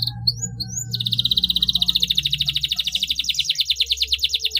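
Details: Canary in long continuous song used to coax others into singing: three short whistled notes, then an extended rapid rolling trill pulsing several times per second to the end, over a low hum.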